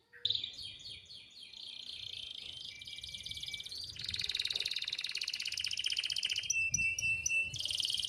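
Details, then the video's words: Gacor domestic canary in full song, used as a tutoring recording for canaries that rarely sing: rapid, dense high trills and rolling chattered phrases that shift pitch every second or two, continuous and loud throughout. "Suara Masteran Kenari Gacor Cocok Buat Burung Kenari Yang Susah Bunyi"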